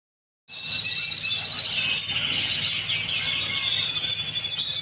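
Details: Pheao canary from Spain singing a continuous high, rapid trilled and rolling song with fast repeated chattering notes, steady and loud throughout.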